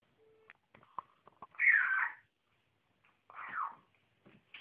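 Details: Young pet African grey parrot making its habitual squeaks, given constantly while playing and eating: two harsh, noisy squeaks about two seconds apart, with faint clicks and small sounds between them.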